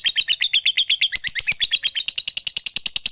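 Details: Long ngekek chatter of a fighter lovebird, played to provoke silent rivals: a continuous stream of rapid grating notes, shifting slightly in pitch midway.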